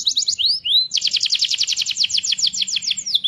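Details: Singing canary, active day and night, whose song is played to stimulate other canaries to sing. Bright, high rapid trills of repeated notes and upward-sweeping whistles, delivered loud and without a break.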